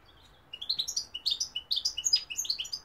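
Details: European goldfinch singing, with London and Algeria mentioned: a fast tinkling run of bright twittering notes, rising and falling, about twenty quick chirps in under three seconds over faint background hum.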